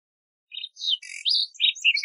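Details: Lark sparrow producing a short, varied phrase of slurred whistles, buzzy notes and chirps that shift in pitch from note to note.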